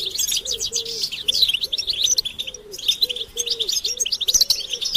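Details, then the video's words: European goldfinches chirping as a group in a motivational recording meant to rouse males to sing: busy, high, jangling twitters and trills in bursts, over a steady series of low, rounded dove coos repeated about every half second. "بتبتة الحسون تحفيز الحسون على التغريد والهيجان علاج صمت الحسون goldfinch stimulation"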